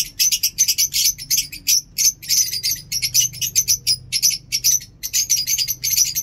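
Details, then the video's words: Lovebirds in Peshawar chirp continuously in fine weather, a busy stream of shrill, scratchy chirps repeated several times a second with barely a pause. "Lovebird Chirping in awesome weather today in Peshawar"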